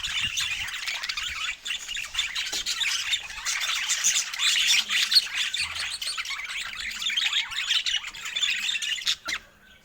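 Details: Joyful budgerigar chatter over fresh food: many birds twittering, squawking and warbling at once in a steady high jumble that fades out briefly near the end.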